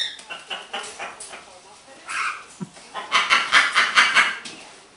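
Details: Happy pet green-winged macaw chatting and laughing a little indoors: soft murmured syllables, then a rapid series of about eight loud rhythmic raspy bursts like laughter.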